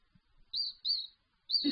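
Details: Hand-fed Raza Española canary chick, August 2017, giving three high, thin, slightly falling chirps, the second drawn out, followed by a faint low rustle.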